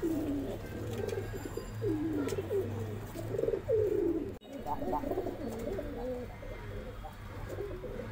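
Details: Pigeons at the start of the first pigeon race of 2021, repeated low throaty cooing phrases rolling over a dull background hum, with a brief cut midway.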